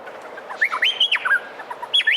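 A male Meliphaga honeyeater sings a quick run of loud, clear whistles that slide up and down, packed into under two seconds over a faint hiss.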